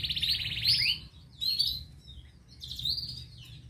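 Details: Local canary giving bright rising whistles and a fast rattling trill in three bursts separated by short pauses, over a faint low hum.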